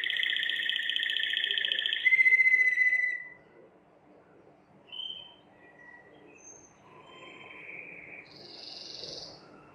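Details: Belgian Waterslager canary, a song-bred canary, singing a rolling trill and a brief loud whistled note, then breaking off into faint scattered notes over quiet background hiss.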